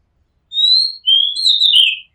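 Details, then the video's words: Oriental magpie-robin on a house rooftop giving one phrase: a steady high whistle, a brief pause, then a lower whistle rising into a rough, warbling descending ending. "Oriental Magpie Robin Sound Long play | เสียงร้องนกกางเขนบ้าน"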